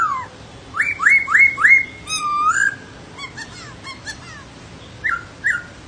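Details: Singing laughingthrush: a falling whistle, then four quick rising whistled notes and a longer slurred phrase. Soft scratchy notes follow, then two short whistles after a quiet gap.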